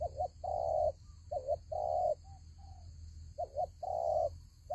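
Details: Repeated coo phrases from a spotted dove in a ground-decoy fighting trap: a brief doubled note, then a sustained mellow coo, with fainter short notes in a pause, over low rumbling noise and steady high hum.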